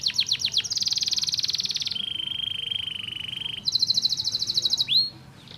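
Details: Stimulating canary song: a few falling whistles lead into long rapid buzzy trills, first high, then lower and steady, then high again, closing with a single rising-falling swoop.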